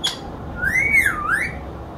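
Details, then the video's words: Parrot speaking the phrase "Allah hoo": one smooth whistled utterance that rises, dips and rises again over about a second, bright harmonics above, with a quiet indoor background. "parrot Talking clearly Allah hoo"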